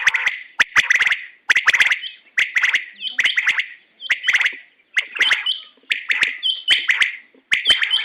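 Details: A female quail gives sharp, chirping bursts about once a second in a steady run, with crackling clicks between the calls.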